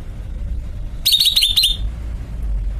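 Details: A caged greater green leafbird gives a quick series of about six high, evenly repeated whistled notes, almost trilled, lasting under a second, over low rumbling noise.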